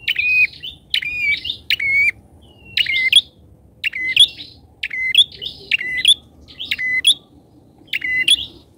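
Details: Loud, chatty bar-winged prinia lure call meant to draw in wild prinias: a rapid series of bright clicking chirps, each ending in a brief level whistle, about one per second, clean background.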